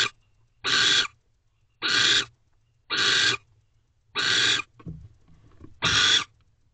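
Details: Male barn owl at a nest box at night, 1:28 am, delivering a meal to the nest with owlets. Harsh, broadband hissing screeches, five in a row, each about half a second long and spaced roughly one second apart, with a faint low rumble between.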